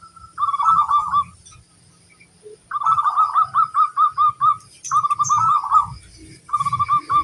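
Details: Local zebra dove, a vigorous singer used as a master recording to make other doves answer: rolling, trilled cooing phrases, four bursts separated by short pauses, with faint high chirps of other birds and soft low background noise.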